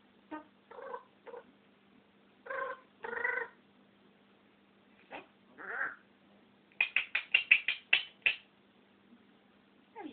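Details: A pet African grey parrot, camera shy, talking indoors: a run of short separate syllables and squawky word-like bursts, then a quick series of sharp clicking notes near the end.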